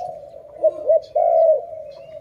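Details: Loud dove call in a trapping setting: two short arched coo notes followed by a longer, drawn-out coo over a steady low droning tone.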